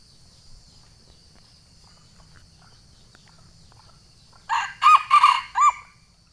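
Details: Sumatran junglefowl challenging a rival, used for luring wild junglefowl: after four seconds of quiet hum, a loud crow of several short arched notes close together, repeated with strong harmonics.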